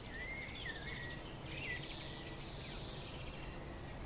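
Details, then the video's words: A Eurasian siskin on a roof ridge sings and calls: a high, thin twittering song with a quick run of bright ticking notes in the middle, then a drawn-out wheezy note, over steady hiss. "Siskin Singing and Crying"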